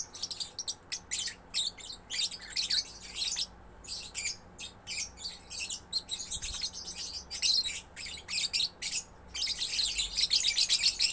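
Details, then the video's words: Lovebird chick singing gacor, sharp high twittering phrases in quick bursts with brief gaps, ending in a denser, louder stretch of rapid chirps. "Love Bird Gacor anakan"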